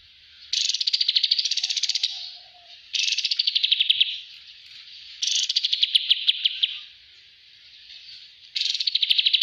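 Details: Kapas tembak bulbul in a master recording used for training other birds. It gives long buzzy rattling trills of rapid even pulses, each lasting one to two seconds, separated by short pauses.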